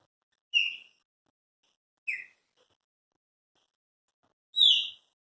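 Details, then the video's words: Three clean whistled notes from kept Chopi blackbirds, the first two mid-pitched and evenly placed, the last higher, louder and slightly rising, with silence between. "Cantos, meus pássaros preto"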